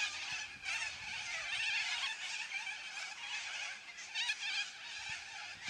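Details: Yellow-crested cockatoos in a noisy flock make a continuous blur of harsh, wavering squawks that rises and falls slightly, over a faint low hum.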